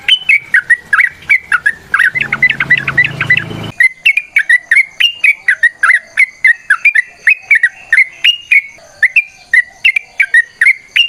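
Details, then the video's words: Sooty-headed bulbul in a long fighting song used to prompt other birds to sing; a dense run of quick, bright whistled notes for over ten seconds, with a short burst of low rumbling noise near the start. "TRUCUKAN GACOR TARUNG ROPEL PANJANG Pancingan trucukan Agar Bunyi Jadikan Burung Trucuk Gacor Nyaut"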